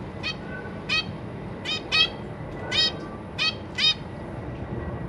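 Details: Caged zebra finches, parents feeding newly hatched babies alongside three juveniles; seven crisp, nasal harmonic calls at about one per second, some paired close together, clear over a quiet low hum.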